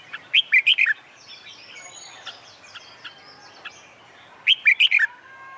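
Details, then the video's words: Red-whiskered bulbul singing under the summer sun while trained for song contests; two loud, five-note warbling phrases open and close the passage, with a soft chorus of other birds between them. "LUYỆN CHÀO MÀO HÓT ĐẤU/ CHIM CHÀO MÀO HÓT GIỮA NẮNG NGÀY HÈ"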